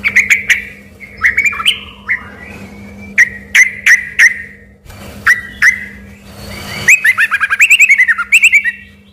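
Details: Sooty-headed bulbul in lively song that people took for a shama: separate sharp whistled notes and short slurs, then a fast descending run of rippling whistles near the end, over low hum.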